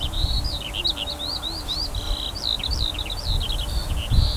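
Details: Eurasian skylark above a summer barley field, 28 June 2018, pouring out a fast chain of high chirps, slurred upward and downward whistles and short buzzes; low wind noise underneath.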